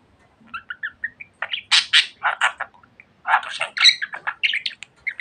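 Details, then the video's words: Talkative pet budgerigar giving short chirps, then bursts of harsh, buzzy warbled chatter in two rushes separated by a brief pause. "Muhabbet Kuşu Çimen Çok Konuşuyor.~Budgie Grass Talks a Lot"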